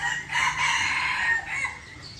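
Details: Red junglefowl from Aceh on a lure recording, one harsh, hoarse crow lasting about a second and a half, fading out, with faint background noise.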